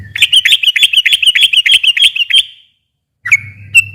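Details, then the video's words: Rapid 'ropel panjang' song of a sooty-headed bulbul, used as a lure to make quiet birds sing back: a quick string of sharp, rising chirps ending in a long fading whistle, a pause, then two more whistled notes with low hum. "kicau suara trucukan gacor ropel panjang ini ampuh buat pancingan trucuk macet agar nyaut bunyi lagi"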